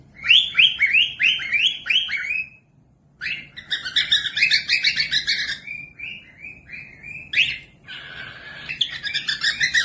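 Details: Cockatiel song meant for other birds to learn: loud rapid chirped phrases with rising slurred notes, a brief pause, then dense twittering and a rougher chattering stretch.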